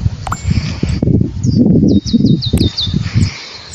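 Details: Saffron finch in its natural habitat, giving a quick run of about eight short, high, clipped notes over roughly one second, with a louder low rumble of wind or handling noise throughout.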